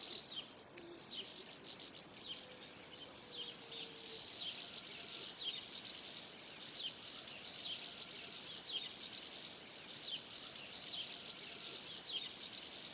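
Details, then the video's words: Common house martins gathering in a flock before flight: many overlapping high, thin chirps and twitters, dense and irregular throughout, over a constant background hiss. "MARTINS FLOCK TOGETHER BEFORE FLIGHT"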